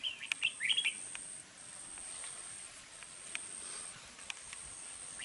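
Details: Red-whiskered bulbul kept for trapping in Dong Nai, Vietnam, praised as an eager, harsh-voiced singer. It opens with a rapid, jerky run of bright notes, followed by quiet with a few sharp clicks.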